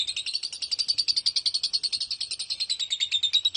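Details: Lovebird giving a long 'konslet' ngekek trill, used to lure other lovebirds into singing: a fast, even rattle of sharp, high chirps, roughly eight per second, steady for the whole stretch.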